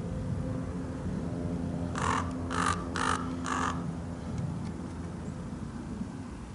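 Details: Large male common raven with a tight run of four harsh, clipped calls about half a second apart, then quiet, over a low steady drone.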